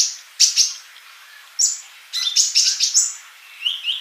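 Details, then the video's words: Sunbird (kolibri) gacor song: sharp, very high double chirps, then a fast rattling run of bright notes, closing with two softer lower slurred calls. "MASTERAN UNTUK BURUNG COLIBRI GACOR"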